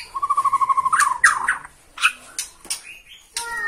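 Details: White-rumped shama from Borneo, excited at seeing a rival, singing in one place: a fast, even trill of about a dozen low whistled notes, then mixed slurred whistles and clicks.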